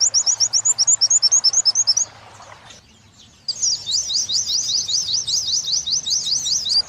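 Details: Oriental white-eye in a song-tutoring recording, wit-wit into kuntilanak: two seconds of quick, evenly spaced high chips, a quiet gap, then continuous busy high twittering with sliding zigzag notes.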